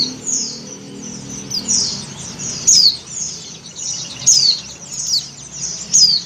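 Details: Oriental white-eye female in breeding condition calling the male, giving high, thin descending chirps repeated about every one and a half seconds, softer twitters in between, with a faint low hum beneath.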